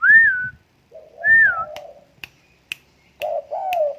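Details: Tame spotted dove giving low hollow coos, mixed with high slurred whistled notes and sharp dry clicks, in a quiet room.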